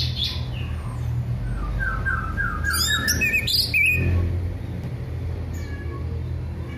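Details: Orange-headed thrush singing loosely and loudly, meant to prompt birds that have gone quiet: a sequence of descending whistled notes flowing into a dense burst of rapid chatter, then quieter, against a constant low hum.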